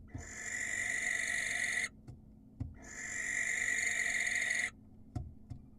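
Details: Wild barn owl's hissing screeches to attract a female: two long rasping calls, close to two seconds each, with a short gap and faint low knocks before and after.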